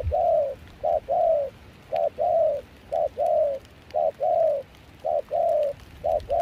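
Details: Spotted dove, a wild-caught decoy bird with a mixed foreign-style voice, used for dove trapping in Kon Tum, Vietnam, in rain and cold wind. Seven low hooting coos, each a short note then a longer falling one, repeat about once a second.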